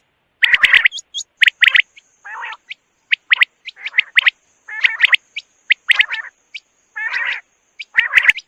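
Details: Quail giving sharp, high chirps in quick irregular bursts, mixed with short raspy, buzzy churring notes, about seventy notes a minute, with a faint steady high whine running through.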